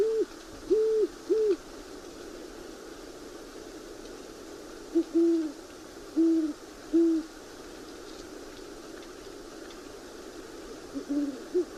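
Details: Great horned owl pair, probably a male and female, duetting back and forth, with one bird higher pitched than the other. Deep hoots come in short runs of two or three: a higher series first, then lower replies, over a steady low hiss.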